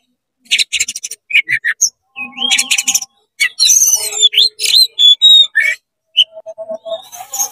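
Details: Oriental magpie-robin singing a varied song said to provoke other magpie-robins: rapid bursts of chattering notes, twangy slurs and sharp whistles broken by abrupt silent gaps, with a lower steady tone under some phrases.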